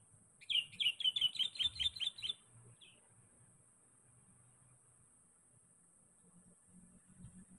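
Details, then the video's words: Sooty-headed bulbul calling to a rival, used as a lure: a rapid run of about nine bright, bubbly fluty notes lasting nearly two seconds, then one softer note and quiet. "Panggilan KUTILANG PIKAT GACOR. Mencari Lawan."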